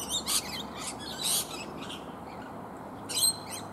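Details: Many rainbow lorikeets feeding on native bottlebrush flowers high in a tree give harsh, shrill screeches in short bursts, with quieter scratchy chatter between and a soft background hiss.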